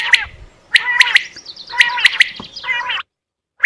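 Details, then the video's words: Quail calling during a hunt: clusters of sharp piping notes in threes, with a rougher buzzy phrase near the end before a short pause and one last note. "Batair new vioce in shikar"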